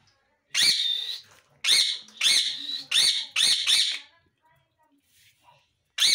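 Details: Rose-ringed parakeet, a talking pet parrot; a run of loud harsh speech-like syllables in quick succession, six bursts over about four seconds, then near silence and one final burst.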